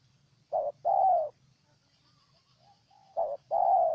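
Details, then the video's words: Spotted dove recorded in Ninh Thuận, Vietnam: two loud short-long coo pairs from a nearby bird, separated by a pause in which fainter distant coos can be heard. "Cu Gáy Ninh Thuận"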